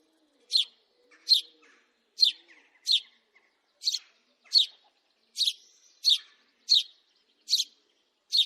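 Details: House sparrow giving a series of short, sharp chirps, about eleven in eight seconds at uneven spacing, each a bright clipped note, with a faint low hum in the background.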